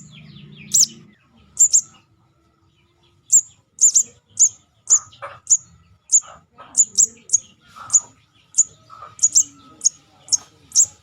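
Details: Lure call of a juvenile Crimson Sunbird (sogon): a long series of piercing high chips, single and doubled, quickening toward the end, with faint lower noises and a brief low hum at the start.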